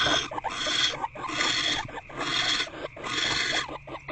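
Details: Barn owls in nest box C on 16 February 2024 during a food delivery and pair bonding, with an owlet present: harsh, rasping broadband hisses in long overlapping bursts, repeated roughly every second with brief gaps between them.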